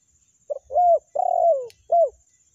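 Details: Spotted dove phrase from a lure recording of the meratus and melambung calls. One soft clipped note leads into a rising-falling coo, then a long slightly quavering descending coo and a short final coo, with a faint click in between.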